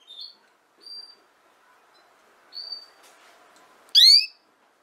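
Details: Female canary: several brief thin high whistles spaced apart, ending in a single loud, sharply rising, harmonic note.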